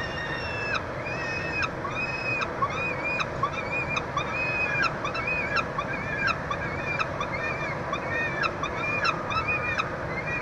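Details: Peregrine falcons at a nestbox at the University of Montreal, Quebec, Canada, on 22 June 2023, during chick feeding: repeated harsh, rising-then-falling harmonic calls every second or so over a steady outdoor rumble.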